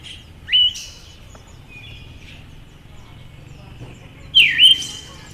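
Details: Two clear calls from a female Siberian thrush, separated by nearly four seconds: each a quick downward-sweeping note ending in a short rising flick, with faint background noise between.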